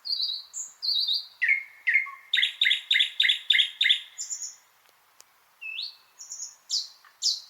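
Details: Thrush nightingale song with high whistled notes, then a loud rhythmic series of hard repeated chock notes about three per second, a short pause and rising whistles resuming, quiet background.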